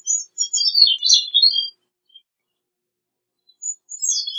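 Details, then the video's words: Catharus minimus, the Gray-cheeked thrush, gives a high, wiry descending song phrase nearly two seconds long, then silence before another thin, high phrase starts. "Gray-cheeked Thrush Singing, Sound, Calling, Chirp - Zorzalito Carigrís Cantando - Catharus Minimus"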